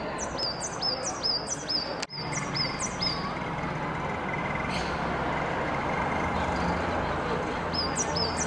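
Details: Coal tit giving a quick series of thin, high, downslurred double notes over about three seconds, then a few more at the end, all over a constant loud roar of background noise with one sharp click.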